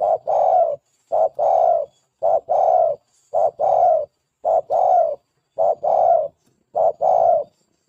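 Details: Spotted dove used as a lure to train and attract other doves, calling in steady two-part coos, a brief note followed by a longer hollow coo, about seven pairs in eight seconds with even spacing, no background noise.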